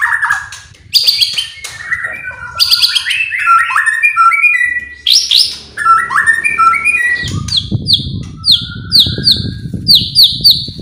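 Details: White-rumped shama singing to provoke other birds. Dense bursts of high whistles and downslurred notes, then a run of clear repeated falling whistles about twice a second, with rumbling noise underneath.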